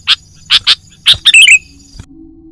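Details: Lure sound of a sooty-headed bulbul for catching wild birds: three clipped chips, then a rapid twittering phrase that drops in pitch, followed by near silence with a low faint hum.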